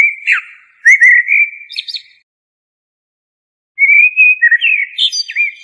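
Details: Two phrases of blackbird song: rich, flute-like whistles followed by a faint high twittering tail, separated by almost two seconds of silence.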